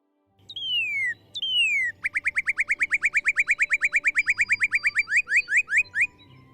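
A Northern Cardinal gives two long, clear down-slurred whistles, then a fast run of about thirty short, bright chip-notes, roughly seven each second.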